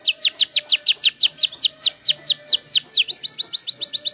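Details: Canary just starting to learn its song and arrange phrases, used as a lure: a fast even trill of high, downward-sweeping whistles, about five per second, over a faint low steady hum.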